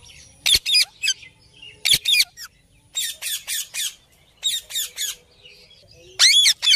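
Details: Wild Indian ringneck parrots at a balcony; harsh, high screeching squawks in quick clusters of two to four, pausing between bursts, with faint background chatter.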